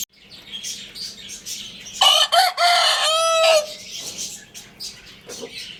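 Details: Single crow from a Lohmann Brown rooster, starting with clipped raspy bursts and stretching into a steady drawn-out note that fades downward. Busy high-pitched chirping of small birds fills the pauses.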